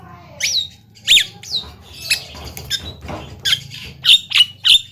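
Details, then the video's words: Javan myna, known here for mimicking speech, coughs and laughter, uttering about ten rasping squawks and squeaky notes at uneven intervals, a few with a falling slur, over faint room hum. "JALAK KEBO BISA BICARA BATUK BATUK DAN TERTAWA"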